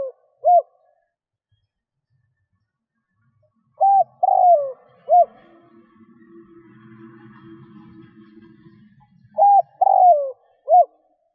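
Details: Spotted dove luring wild doves: repeated three-note cooing phrases, low and mellow, with a faint low rumbling murmur in the background between phrases.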